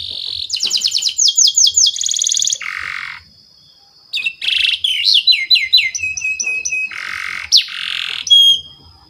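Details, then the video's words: Canary song meant to train young canaries: bright trills and buzzy bursts broken by a pause, then varied whistled phrases and harsh rattling notes. "SUARA BURUNG KENARI PANCINGAN MASTERAN PAUD BIAR GACOR PANJANG"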